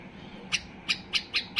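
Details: Sharp, bright notes from an excited white-eared bulbul, five in quick succession, delivered to prompt silent bulbuls to sing; a faint hum lies underneath.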